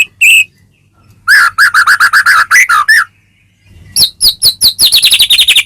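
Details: Caged white-rumped shama song played to spur another bird to sing, full of varied filler phrases: a fast run of repeated chirps, a pause, then quicker high rattling notes.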